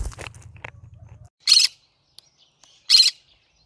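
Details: After some brief rustling and low noise at the start, a cinnamon green-cheeked conure gives two loud, harsh squawks about a second and a half apart.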